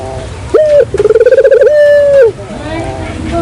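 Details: Barbary dove lure call with a brief rising note, a rapid beating trill and a sustained level coo, over faint background noise.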